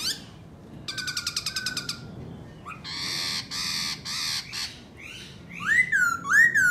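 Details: ['Black laughingthrush song given while dancing: a fast rattling stutter, then harsh broad buzzy bursts, ending with loud ringing upswept whistles.']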